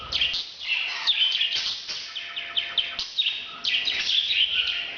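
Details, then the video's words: Parrot calling during breeding: dense, rapid chatter of harsh chirps and squeaky twitters, near-continuous with small pauses, and a faint hum behind. "bird's breeding sound"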